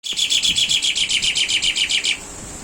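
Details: Asian pied starling (jalak suren) in a master recording for training cage birds, tembakan style: a rapid burst of about fifteen harsh, evenly repeated chattering notes over two seconds, then stopping abruptly.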